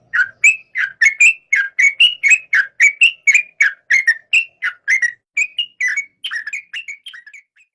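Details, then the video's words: Yellow-vented bulbul producing a brisk run of short whistled notes, about three per second, varying up and down in pitch and fading toward the close. "Suara kicau burung trucuk"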